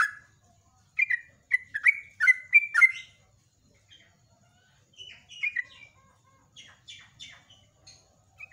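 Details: Morning song of a yellow-vented bulbul (trucuk or jogjog), a lure for other birds: a loud burst of quick bubbling falling notes for about two seconds, then fainter, scattered phrases and a brief high chip.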